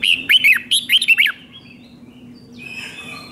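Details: Red-whiskered bulbul song, a five-syllable double-phrase style played for teaching young birds; one phrase of sharp, rising-and-falling whistled notes, then quiet with faint higher chirps.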